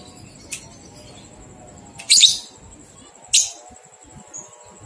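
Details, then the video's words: Lovebird ngekek training recording of 123 beats for two-month-old young lovebirds; three short, high, scratchy chirps spaced over five seconds, the middle one strongest, over a thin steady high-pitched whine. "Masteran Lovebird Paud 123 Ketukan Terbukti Ampuh Merangsang balibu 2 bulan Ikut Ngekek"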